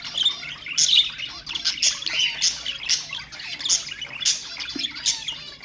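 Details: Pet budgerigars, sounds meant to stimulate other birds: dense, high chirping chatter in quick bursts, bright tweets and short squawks overlapping with barely a pause.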